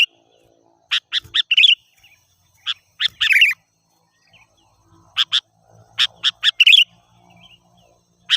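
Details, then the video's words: Sooty-headed bulbul song as a wild-bird lure: clusters of sharp quick chirps running into short warbled phrases, with faint low background murmur between bursts. "Suara Burung Kutilang Gacor"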